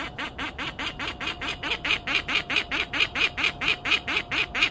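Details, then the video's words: Bird alarm calls recorded 4-6-12: harsh, broadband notes repeated steadily about twice per second through the whole stretch, over a constant low electrical-sounding hum. "ALARM CALLS"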